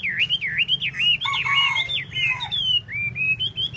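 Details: Chinese hwamei dancing its tail, pouring out loud wavering whistles in rapid sequence, broken midway by a harsh buzzy burst, then rising slurred whistles resume.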